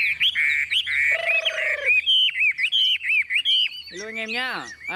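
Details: Tame, newly acquired caged Chinese hwamei with yellow legs and bill, hung up and singing: loud, rich whistled phrases with slurred, looping notes and quick varied trills, plus a brief harsh, throaty note and a man's voice.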